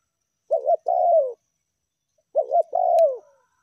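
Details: Spotted dove (tekukur) lure call, meratus and melambung styles: two cooing phrases about two seconds apart, each a pair of short quick coos followed by a longer, falling, slightly rough coo, against a silent background.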